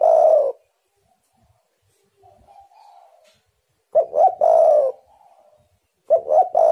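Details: Spotted dove cooing to draw in wild doves: a phrase ending, then soft low notes, followed by two full three-part phrases of a clipped note, a rising hoot and a long mellow coo.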